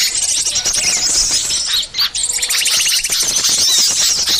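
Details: Small birds calling together on a lure track meant to attract wild birds: busy high-pitched tweets and chips overlap, with a brief gap near two seconds, then rapid buzzy trills resume.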